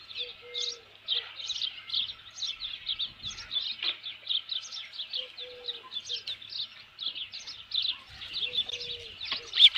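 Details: At a ranch nest on 27 June 2018, shortly after noon, an osprey with a headless fish gives a long steady series of piercing high chirps, roughly two or three per second, with occasional low hum-like tones.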